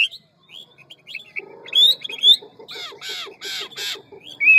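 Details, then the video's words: Hwamei singing in the ngũ trường forest-voice style, fast and many-voiced. Thin rising whistles lead into a rapid low chattering trill, broken by loud arched whistled notes and ending on a clear high whistle. "Họa mi ngũ trường giọng rừng mau mỏ nhiều giọng"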